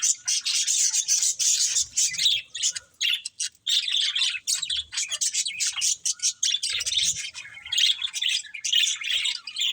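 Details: Playing budgies keep up a thick, scratchy chorus of high chirps and squawky notes, nearly unbroken with a short lull after three seconds and occasional low taps.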